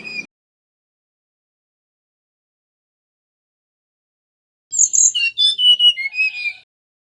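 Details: Male mangrove whistler used as a lure: a brief fragment at the start, long silence, then a two-second phrase of high sharp notes leading into clear whistles stepping downward.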